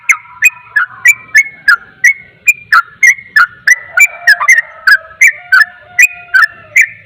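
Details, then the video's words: Sooty-headed bulbul delivering its quick 'ropel' song, meant to rile up other bulbuls: clipped, down-slurred whistles with ticking attacks, about three each second, with a quiet low steady tone underneath and a faint murmur. "Trucukan ropel, trucukan lain akan emosi dengar suara trucukan ini"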